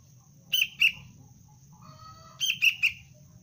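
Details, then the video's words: Juvenile sooty-headed bulbul trained for cengkram lure use: sharp chirps in two bursts, first a pair, then a quick run of three, with a thin continuous high-pitched whine and soft low noise behind. "Anak kutilang pelatihan dasar untuk pikat Cengkram"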